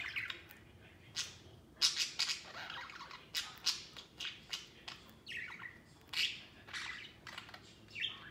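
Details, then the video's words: White pet budgerigar playing outside the cage: short, harsh chirps and squawks repeated at irregular intervals of roughly half a second, some with a brief rising whistled tone. "Happy Budgies Playing Outside Cage"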